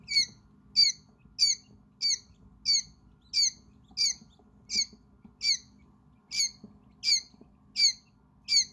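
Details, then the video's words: Quail chicks about five hours old, exploring an indoor brooder; one chick calls loudly. Shrill, high peeps with a sharp downward sweep repeat steadily, about one every 0.65 seconds, over a faint low hum. "Help quail hatch with hours old chick sounds"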